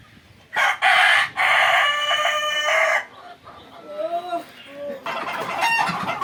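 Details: Fayoumi chicken from Bakshiganj, Jamalpur, Bangladesh, giving a loud, drawn-out hoarse crow, then quieter rising clucks and a second harsh burst at the end.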